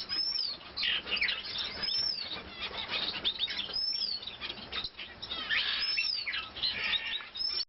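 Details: Long-tailed rosefinch at nest building, calling repeatedly: thin, high chirps and short descending whistles in scattered clusters, with gaps of a second or so between bursts.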